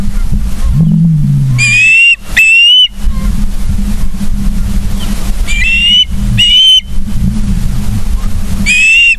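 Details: Osprey at the nest, Charlo, Montana, August morning: short bursts of high whistled piping calls in pairs, separated by pauses, against steady low rumbling background noise.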